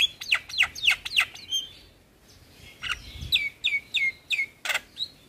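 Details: Javan myna (jalak kebo), described as singing vigorously, in a training-song compilation for caged birds: several downward-swooping whistles, a pause, then a further series of falling whistled notes ending in a harsh rasp.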